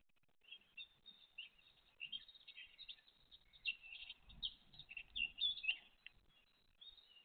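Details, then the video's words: Great tit mother and chicks on 29 April 2023. A continuous chorus of high, thin chirps and squeals rises in intensity toward the middle, with faint low rumbling underneath. "GREAT TIT MOM & ITS CHICKS"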